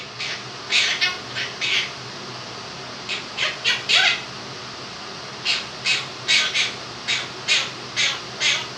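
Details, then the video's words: Indoor pet Quaker parrot aged two, imitating 'If You're Happy and You Know It' with a fan on nearby. Two bursts of rapid, scratchy, clipped notes, with a pause near the middle. "the Quaker Parrot sings 'Happy And You Know It'"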